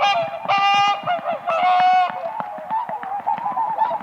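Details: Several whooper swans on a spring lake, dancing on the ice, give dense, overlapping bugling honks. Long, ringing notes blend into a continuous, noisy chorus.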